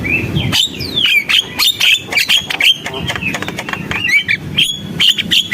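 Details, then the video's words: Javan myna singing hard, with a fast string of falling and rising whistles mixed with clicks and harsh chatter. "JALAK KEBO GACOR, SUARA JALAK KEBO"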